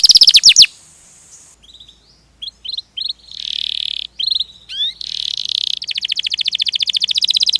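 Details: Canary singing in ngerol style: loud falling whistles, a hushed pause, short chirps and buzzy bursts, then a long rapid rolling trill of even high pulses.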